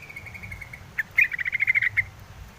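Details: Yellow-vented bulbul giving a quick burst of bright, clipped chips in a fast, steady series lasting about a second, with a faint thin note before it and low background hum.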